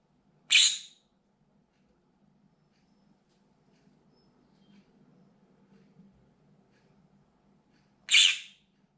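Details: Two loud, harsh shrieks from a pet green-cheeked conure watching out of a window, about seven seconds apart, with near silence and a soft low hum in between. Things outside trigger its desperate screaming.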